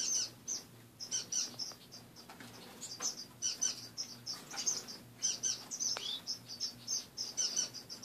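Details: A group of caged pet finches in the morning: continuous lively high chirping and tweeting, many overlapping short notes, occasional rustles and a soft hum.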